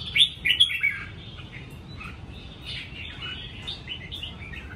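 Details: Red-whiskered bulbul kept in a cage at home gives a loud burst of quick whistled notes at the start, followed by softer, scattered warbled phrases over a steady low hum.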